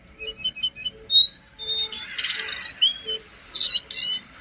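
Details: Jongkangan singing on a master track for cage-bird training, opening with quick repeated double notes, then clear whistled slurs and harsh buzzy bursts in a varied, energetic phrase.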